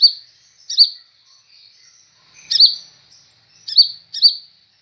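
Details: High, sharp chip notes from a newly acquired sunbird known as kolibri ninja, each with a quick down-slurred tail. They are spaced about a second apart, with soft thin sounds between and a clean, quiet background.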